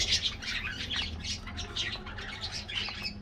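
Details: Budgies in an aviary colony at a morning treat give rapid, rough chirps and short squawks, several birds chattering over each other.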